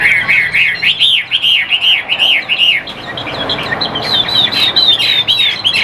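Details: Caged Chinese hwamei kept for sale in Vietnam, singing a loud run of six clear, arched whistled notes at an even pace, then shifting into a higher, rapid series of looping phrases.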